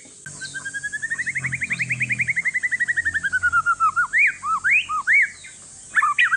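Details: One-year-old Aceh forest-lineage white-rumped shama, sung to encourage other shamas: a steady fast train of repeated notes rising then sliding down, followed by loud upward-swooping whistles spaced about half a second apart.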